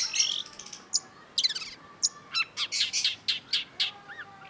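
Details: Long-tailed shrike (cendet) in full, vigorous song used as a tutor recording: rapid sequence of sharp, high chips and short buzzy bursts, with a few downward-sweeping notes, in quick irregular succession.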